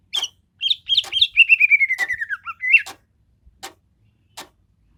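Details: Greater green leafbird: brisk whistled phrase of repeated notes descending steadily in pitch, then a brief upward flourish, followed by a few scattered sharp clicks.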